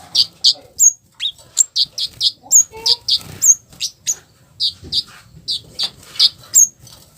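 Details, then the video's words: Flowerpecker harsh lure call to make other flowerpeckers respond: a steady stream of sharp high chips, about three per second, mixed with occasional thin, very high upslurred ticks. "Suara kasaran Kemade baret merah || cabe cabean || cit keres || bikin Kemade lain langsung respon"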